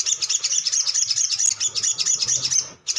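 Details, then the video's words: A Crimson Sunbird, used as a lure to prompt other sunbirds to sing, delivers a fast, unbroken stream of thin, high-pitched chirps and twitters for nearly three seconds, then briefly pauses. "SOGON GACOR❗ PANCINGAN CEPAT BUNYI"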